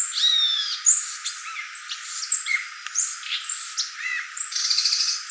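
A violaceous euphonia sings a fast, unbroken jumble of high chips, buzzy trills and sharp whistled notes, constantly changing in pitch.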